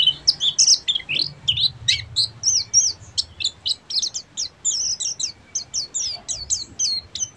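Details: Oriental white-eye, Buxtomi variety, delivering ngeriwik song as a long unbroken run of high, rapid, scratchy chirps and twitters, evenly paced.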